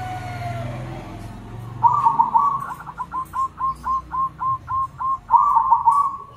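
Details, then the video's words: Local and crossbred zebra doves answering one another loudly: a rolling trill, then about ten evenly spaced clipped coos, each repeated roughly every quarter second, ending in another bubbling trill. "Suara perkutut lokal dan crosing saling sahut rame semua ikut bunyi"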